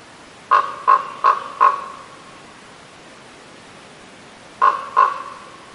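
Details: Raven giving short, hoarse caws: four in quick succession about a third of a second apart, a pause of roughly three seconds, then two more. The background is a steady low hiss.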